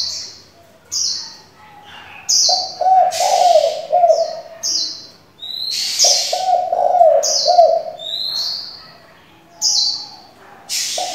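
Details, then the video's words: Decoy spotted dove switching voices continually, used to stir and train young doves: low, mellow cooing phrases with a throaty rolling pulse, two bouts of several notes, mixed with sharp high chirps and twittering from other small birds. "Cu gáy đảo giọng liên tục, kích bổi hay, luyện CU non chuẩn!"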